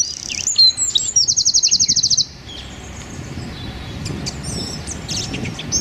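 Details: Wren song, rapid 'tembakan' style used to train songbirds: a short high buzzy trill of evenly repeated notes lasting about a second, followed by steady low rumbling noise and faint distant chirps.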